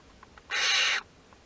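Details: Western barn owl at a nest box in Théding during the hatching of the second brood, chicks 2 to 6 of 10, on 22 August 2021: a single harsh, broadband hissing screech lasting about half a second against quiet background.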